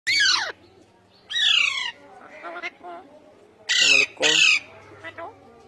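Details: Indian ringneck parakeets, pet talking parrots said to speak Urdu and Hindi; two loud, harsh descending screeches open the recording, followed by quieter chattering notes and a final pair of rasping screeches.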